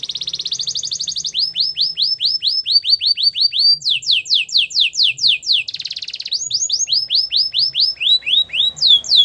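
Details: Spanish Timbrado canary singing a fast song of repeated tours: rapid downward-sweeping high notes, with a few strongly rising slurred phrases in between, about two notes a second on average, strong and clear.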